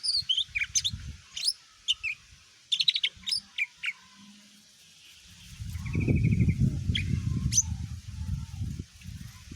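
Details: Cucak ijo mini, the greater green leafbird, gives a lure song to provoke other birds: scattered sharp high chirps and whistles, a brief rapid trill, then loud low rumbling noise filling the later part.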